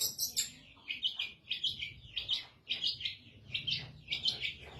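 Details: Long-tailed shrike kept in a cage, cover just removed, singing energetically: bright high chirped notes grouped in short clusters about every half second, each cluster sharp and slightly slurred, over faint low background hum.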